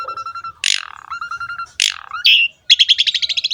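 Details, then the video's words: Asian pied starling song meant to provoke other birds into singing: low steady whistles broken by two loud harsh downslurred squawks, a buzzy note, then a quick series of bright chirps. "MASTERAN BURUNG JALAK SUREN SUPER GACOR PALING DICARI"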